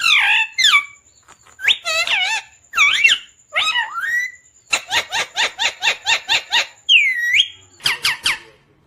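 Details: Talking pet parrot imitating Hindi words such as "mummy papa koun aaya hai": short, bright, wavering voice-like phrases, then a quick chain of about ten evenly spaced staccato syllables and a few sharp high squeaks.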